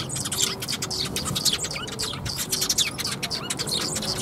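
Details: Several sparrows gather at a bridge to be fed, 1 April 2021, giving a busy stream of sharp, high tweets and short chirps in irregular bursts, some notes slurred, over a faint low background hum.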